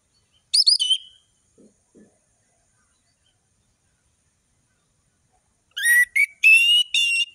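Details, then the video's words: Orange-headed thrush in gacor ngeplong song, a varied tutor recording meant to speed vocal learning in juvenile birds. Opens with one high twisting whistle and two faint low notes, then after a pause a dense run of buzzy, harmonic-rich phrases. "Anis merah gacor ngeplong full variasi bagus untuk masteran burung anis merah trotol"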